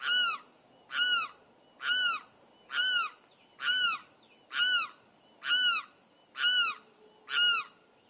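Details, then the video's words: Limpkin gives eight loud, wailing, harsh calls, each rising then falling, repeated evenly about once a second against a quiet background. "The soothing song of the limpkin."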